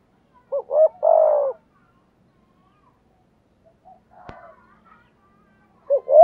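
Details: A spotted dove coo for training and stimulating decoy birds opens with short notes and a long falling croon. It is followed by near silence, a faint brief call and a sharp click, and another phrase begins at the end.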